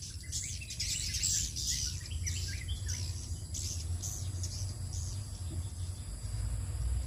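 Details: At 17:50, swiftlets flying back home in the evening make busy overlapping high chirps and twitters through the first four seconds, thinning out afterwards, above continuous low background noise and steady high-pitched hum.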